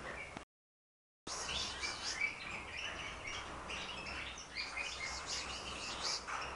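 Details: Several timbrado canaries in song training before the October contest season sing at once, a dense tangle of bright chirps, trills and twittering phrases after a brief silence, with faint background noise.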